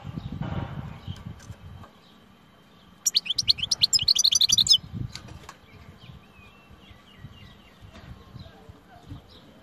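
A European goldfinch gives a quick burst of high, tinkling twitters lasting about two seconds, followed by a few soft whistled notes, with low thumps and rustling in the background.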